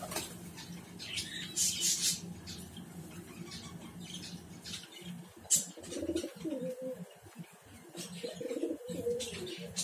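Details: Domestic gola pigeons bred at home, roughly forty birds: soft, low rolling coos come through in the second half, with wing claps, scratchy rustling and brief chirps scattered around them.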